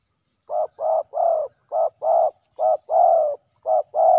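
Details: Male spotted doves clashing during ground-decoy trapping: nine rough, mid-pitched coos, brief notes alternating with longer drawn ones, delivered in quick irregular bursts over a silent background.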